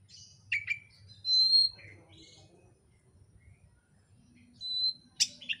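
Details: Oriental magpie-robin song used as a lure to get another bird singing, with scattered high chirps and a steady, sustained high whistle, quiet gaps, then a sharp chip and short slurred notes.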